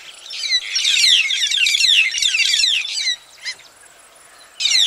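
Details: Several white-headed buffalo weavers (Dinemellia dinemelli) sing close up in a dense, squeaky, high-pitched jumble of rapid notes lasting about three seconds, then a brief pause before another burst, with other birds and traffic in the background.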